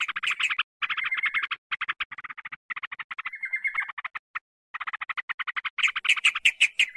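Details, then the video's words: Bulbul lure sound, yellow-vented bulbul, meant to attract wild birds: rapid rattling chatter in bursts separated by short gaps, a level whistled note in the middle, and a sharper, brighter chatter at the end. "Mp3 Pikat B4ru Bikin Trucukan Liar Em0si"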